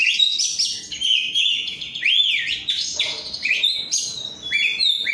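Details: Owned, untrained oriental magpie-robin of the 'rudal korea' type in full, active song: a dense run of sweet whistles, upward and downward slurs, and scratchy bits, barely pausing, with a clean background.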